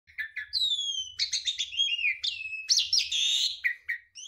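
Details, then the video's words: A canary sings a long, nearly unbroken roll, mixing bright whistled notes and sliding sweeps with fast, buzzy rolls, all high-pitched, over a faint low rumble. "KENARI GACOR NGEROLL PANJANG (langsung nyaut)"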